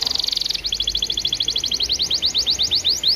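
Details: Canary singing on a recording meant to coax other canaries into song: a fast high trill slowing into a long run of repeated rising chip notes, roughly ten per second, with steady background hiss.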